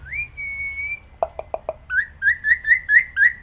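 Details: Caged black-winged myna singing outdoors and while held in the hand. A long steady whistle comes first, then four harsh clipped notes, then a run of short rising whistles repeated about four times a second.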